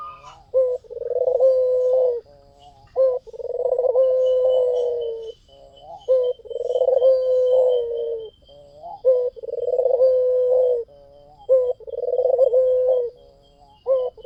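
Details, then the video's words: White Barbary dove in vigorous song, used to lure others: a steady series of six rolled, purring coos about every two and a half seconds, each preceded by a short sharp note, with a faint thin whistle in the background. "SUARA PUTER PUTIH FULL GACOR || PANCINGAN AMPUH"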